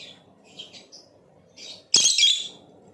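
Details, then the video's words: Blue Opaline lovebird with a few soft, high squeaks, then a single loud, harsh chirp lasting about half a second, over a steady low hum. "Play this video and make your LOVEBIRD chirp and sing | Lovebird chirping sounds - Blue Opaline"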